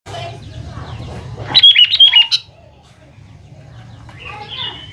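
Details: Sooty-headed bulbul song used as a lure to make young birds respond: a loud burst of short, bubbly, warbling notes around the middle, with fainter chirps before and after over a low background hum.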